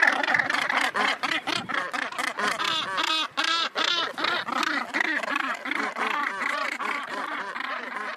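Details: Northern gannets at their Helgoland breeding colony produce a continuous clamour of hoarse, rasping notes, many birds calling at once in quick, uneven bursts.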